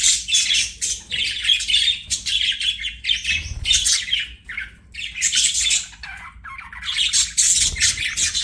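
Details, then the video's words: Chirping budgie, continuous rasping chatter with tweets and squawky notes, rising and falling in loudness over several seconds. "BUDGIE CHIRPING SOUNDS"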